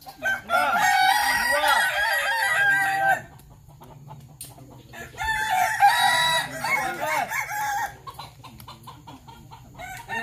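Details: At a Sawah Lunto practice crowing match, a Kukuak Balenggek cock gives two long multi-syllable crows a few seconds apart, rippling arched notes in a chain, over a steady low electrical hum and quiet chatter.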